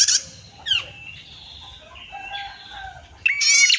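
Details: Female prinia, a clear-voiced bird used as a training and lure recording for other prinias, giving short loud buzzy bursts at the start and end with faint thin whistled notes in between.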